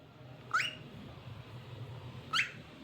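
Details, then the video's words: Cockatiel singing: two short upward-swept whistles about two seconds apart over a low room hum. "Adorable Cockatiel Cute Singing Sounds"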